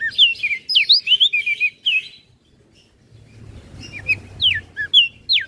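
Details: A fast stream of piercing high whistles and twittering slurs from a crested white-eye of Flores, in 'gacor isian' style for training kecial birds, pauses, then resumes with spaced whistled notes over low hum.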